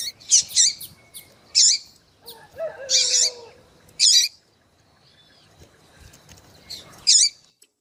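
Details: Female Double-collared Seedeater peeping and calling to stir a male: loud high chirps in bursts with pauses, and one lower, drawn-out warbling sound in the middle.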